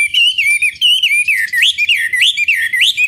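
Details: Chinese hwamei lure song for provoking a rival bird to sing back: a continuous stream of loud, liquid whistles that swoop up and down, about four looping notes a second.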